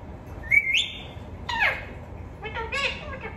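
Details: A parrot kept as a talking bird gives a whistled note stepping upward, then a harsh descending squawk, and finally a series of rapid harmonic, speech-like syllables.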